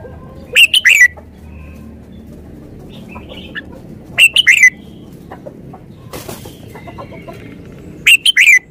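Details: Red-whiskered bulbul kept as a decoy bird in Thailand, giving short bright warbled phrases of three or four quick notes, repeated about every four seconds, with a brief rustle and quiet farmyard noises between phrases.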